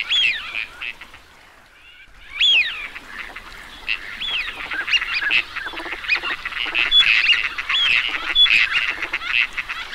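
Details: Teal calling in a group: a few scattered whistled notes, a brief lull, then a loud burst of rising calls building into busy, overlapping whistling and chattering.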